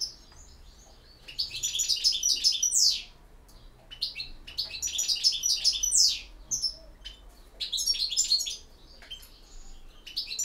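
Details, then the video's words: European goldfinch in campero song: three separate, energetic bursts of rapid twittering, each ending in a quick upward-sweeping note, with short silences between. "El Jilguero BiH 21"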